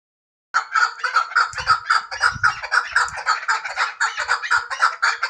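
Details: Hybrid chukar partridge calling in a fast, harsh series of clucking notes, about two per second, mid-pitched with rough overtones, steady for several seconds after a short silence; faint low thumps beneath.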